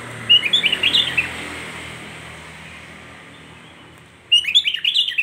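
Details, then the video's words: A sooty-headed bulbul in full song sings two short bursts of bubbly, chattering whistled notes, separated by a few seconds of quiet background hiss; the song is meant to provoke other bulbuls to sing. "Hanya hitungan detik kutilang lain pasti ikut emosi"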